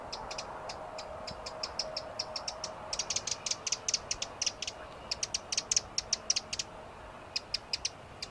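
Eurasian wren giving sharp, dry ticking notes, several per second in loose runs with brief pauses, over a soft low background hum.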